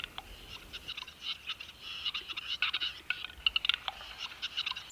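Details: Male western capercaillie lekking song, Belarus's bird of 2020. Its song has two parts, and during the second, the whetting, the male hears nothing. Dense runs of sharp dry clicks and snaps come irregularly, then bunch into quicker bursts.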